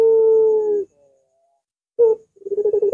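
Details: Barbary dove (puter) whose voice is long and curving: the tail of a sustained even coo, a pause, a short sharp note, then a fast trembling run of pulses beginning the next phrase.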